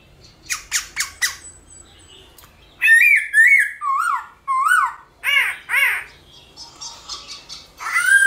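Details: Black-throated laughingthrush song played in the morning to stir other birds to sing: loud whistled phrases with rising and falling slurred notes around the mid range, preceded by a few short harsh notes, varied and repeated in quick bursts.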